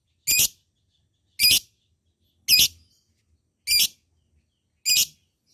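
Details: Lovebird used as a rival voice to stir silent birds into long ngekek, giving five separate shrill, high, harsh chirps at steady intervals of about one second in a quiet setting.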